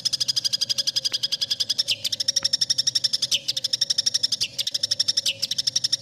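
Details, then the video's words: Long-tailed shrike tutor song of the kind judges favour: an unbroken rattling series of high clicks, about four per second, with occasional short drops in pitch, over a low mains-like hum. "MASTERAN CENDET | suara burung cendet paling di cari juri"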